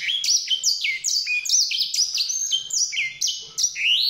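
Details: Fast, sweet chattering song of a white-rumped seedeater, a dense chain of high chirps and descending slurs, closing on a rising whistle.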